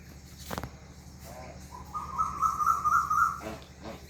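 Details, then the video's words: An Asian koel in a rural village among mango trees, the day after Eid, gives a clear, mid-pitched series of "ku" notes that run together and rise slightly, with a man talking briefly before and after. "কোকিলের ডাক শুনতে পাচ্ছেন, কু কু কু।"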